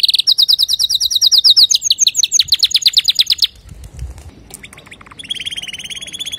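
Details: Male canary singing to teach young canaries: long fast trills of repeated sharp notes, changing pitch midway, a pause, then a buzzy high roll.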